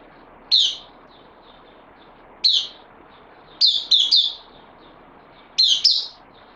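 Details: Bulbul on loan, newly arrived, 12 September 2020: scattered single and paired sharp chirps, bright and abrupt, spaced one to two seconds apart over soft background hiss.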